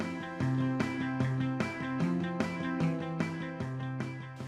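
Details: Steady strummed guitar-style music with regular beats and no animal voices.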